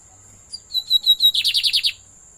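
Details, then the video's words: Pet lined seedeater singing: a few clear whistled notes climb into a fast buzzy trill of about six rapid, descending-slurred pulses, all high-pitched, with a steady faint high hiss behind. "sem dúvidas mais um belo canto"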